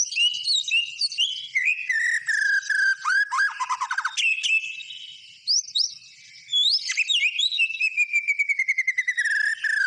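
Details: White-rumped shama singing vigorously: long descending whistle, quick chattering rattles, varied swooping notes and a steady rapid series of clicks, all loud and clean.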